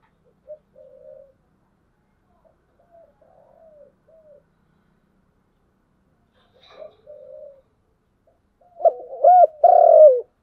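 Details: Spotted dove of the 'giọng đồng' singing type: faint, soft murmured notes for several seconds, then a loud close phrase at the end of a stutter, a short coo and a long coo.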